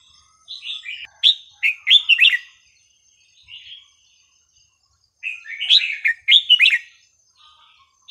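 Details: Red-whiskered bulbul song played to teach young birds, with a sweet, varied repertoire that does not repeat: two bursts of rich, warbled, fluttering whistled phrases, mid-pitched and quick, separated by about three seconds of quiet with a short soft phrase between.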